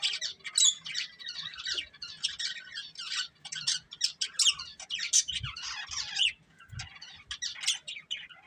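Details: A pair of breeding budgies keeps up a dense, lively chatter of high squeaky chirps, squawks and rasping warbles, with a few faint low knocks in the background.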